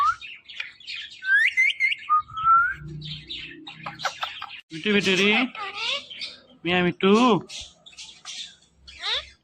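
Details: Ring-necked parrot mimicking speech: rising whistled notes and chirps, followed by strong harmonic word-like syllables in quick groups, ending with a faint descending squeak amid pauses of silence.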